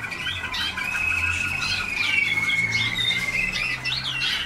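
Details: Young Waterslager canaries at a 2010 singing school, early in song training: a sustained thin whistle runs through busy, quick chirps and looping notes from several birds, with low hum beneath.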